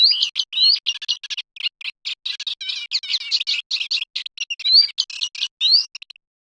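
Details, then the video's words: Eurasian reed warbler singing a long run of grating chirps and clipped chatter, with a few upward-sliding whistled notes, the pattern varying steadily throughout. "صوت دخلة القصب الأوروأسيوية | Eurasian Reed Warbler Sound"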